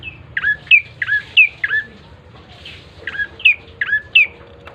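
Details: Lure recording of a bar-winged prinia singing gacor: clipped, high chirps that each slide downward, repeated in quick groups of three or four with a short pause between the groups.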